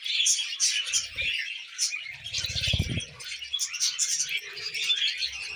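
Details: Several tame budgerigars eating millet, kept alongside cockatiels, give steady overlapping chatter of scratchy chirps and thin whistles, with low thumps and handling noise around the middle.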